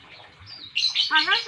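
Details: Young Nias hill myna from Nias, North Sumatra, Indonesia, very chatty and just starting to learn to talk; a soft hoarse murmur is followed by loud, harmonic-rich, speech-like chattering syllables.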